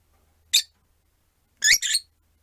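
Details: One short piercing chirp from rosy-faced lovebirds, four birds caged near a window with one perched, followed a second later by two rough, screechy calls in quick succession against a soft low background hum.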